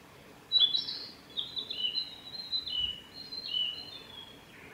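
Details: A male Japanese robin at Yanagisawa Pass on 26 May 2019: a sharp high opening note, then a rapid, ringing rattle-like trill that repeats, over faint background hiss.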